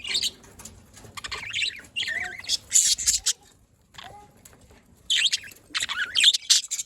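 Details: Captive budgerigars from 27 October 2023 in bursts of loud, scratchy high chirping separated by a near-silent pause, with a couple of brief whistled slurs between the outbursts.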